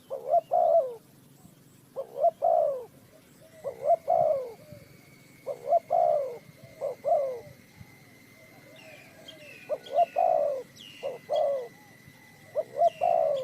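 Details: Spotted dove calling during a bird trap session in Ninh Thuận; a long run of low cooing phrases, short notes then falling coos, while another bird adds thin high chirps and a faint steady tone in the latter half.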